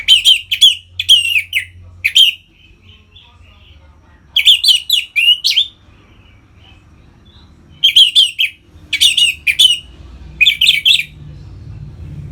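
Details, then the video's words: Orange-headed thrush, kept bird in Bali, Indonesia, song played to stimulate captive birds into breeding condition and full song: loud bursts of rich, rapid whistled and chattering notes in three groups separated by quiet pauses, low hum beneath. "Suara Ngeplong ANIS MERAH Gacor Memancing Burung Agar Birahi dan Lanjut ke Tahap Teler"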